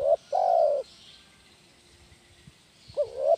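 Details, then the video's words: Spotted dove, known locally as tekukur, cooing for use in training other birds: short low hooting coos, one drawn out about half a second, then a pause and a rising coo starting again; quiet rural background. "SUARA BURUNG TEKUKUR KUK 1 GACOR"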